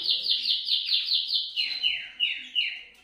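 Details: Canary song meant to set other canaries singing: a series of about six quick, evenly spaced descending whistled slurs, followed by four longer, lower downward sweeps.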